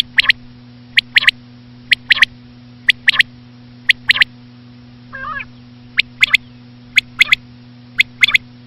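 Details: Repeated clipped triple-note calls of a common quail (batair), labelled as a female, spaced about a second apart, with a brief wavering, tonal sound in one gap and a continuous low hum in the background.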